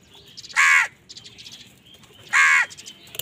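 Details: Two loud, grating crow caws about two seconds apart, given in anger during a fight with wild birds over food, over faint background chirps.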